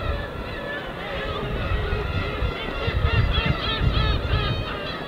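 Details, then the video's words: Gulls over the winter East Sea give quick, upward-bending mewing calls, becoming busier toward the end, while quiet waves rumble heavily underneath. "갈매기와 잔잔한 파도소리"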